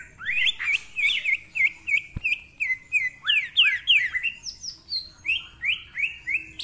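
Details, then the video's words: Greater green leafbird in full song as a tutor bird: clear looping whistled notes repeated about three per second, shifting to descending slurred phrases and higher rising chirps, with one sharp click midway. "Cucak Ijo Gacor Ngentrok Full Isian, Nembak Rapet Suara Kasar Isian Mewah"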